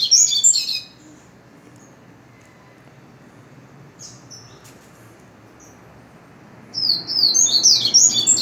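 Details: Wild double-collared seedeater singing: a rapid burst of high, twittering notes for about a second, then near silence, then a second quick warbled phrase near the end.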